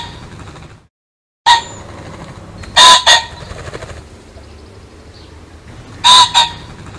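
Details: Pheasant giving harsh, broad double calls, a strong first note and a quicker second, heard twice about three seconds apart against a soft, even background.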